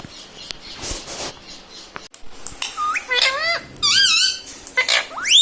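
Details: Indoor pet ringneck parrot talking, saying mummy papa and radhe radhe; soft rustling first, then a run of bent, squeaky word-like phrases growing louder toward the end.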